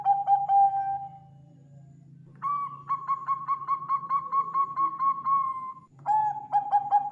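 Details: Bangkok zebra dove song for luring birds. A brief coo trails into a fading tone. After a pause comes a long series of rapid, higher-pitched coos, then a return to lower stuttered cooing. A steady low hum runs beneath.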